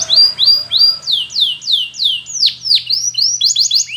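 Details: Spanish Timbrado canary, song for training a silent canary: repeated rising whistles, then loud sweeping down-slurred notes about three per second, quickening into clipped chirps, with a faint steady hum beneath.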